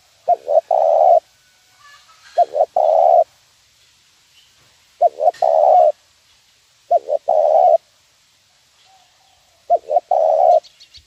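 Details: Spotted dove 'nguku' lure call for training birds, five repeated phrases roughly every two to three seconds, each with two brief low notes followed by a longer even coo; faint clicks between phrases.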